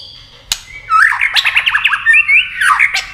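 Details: White-rumped shama in competition singing, wing-flicking and tail-playing: a sharp click, then a quick jumble of whistled and buzzy notes, rising and falling warbles in a fast varied phrase, low hum behind.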